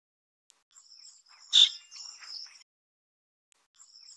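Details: Black Drongo (Dicrurus macrocercus harterti, Taiwan subspecies) chicks being fed at the nest give high, harsh, hissing begging calls for about two seconds, peaking in one loud rasping burst, then fall quiet before faint calls resume.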